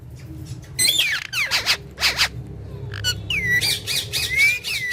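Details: Green talking parrots having fun together: loud rasping squawks in quick bursts, followed by longer whistled, wavering calls that rise and dip, heard over steady low background noise.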